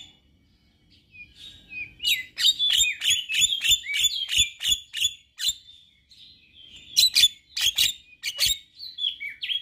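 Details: Male Javan myna with white eyes, used to make other mynas sing: after a quiet start, a quick series of sharp clicking notes with whistles, a pause, then more clicks and a few thin whistles.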